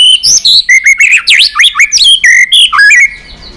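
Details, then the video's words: White-rumped shama in full song, used to train and excite other shamas to sing: a dense, loud stream of swooping whistles and rapid warbled notes jumping between low and high pitch. "Chòe Lửa Hót Nhiều Giọng, Luyện Chòe Lửa Hót Căng"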